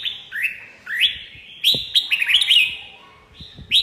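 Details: Brief red-whiskered bulbul song: a few upsweeping whistles followed by a jumbled cluster of bright chirping notes, then a final rising whistle.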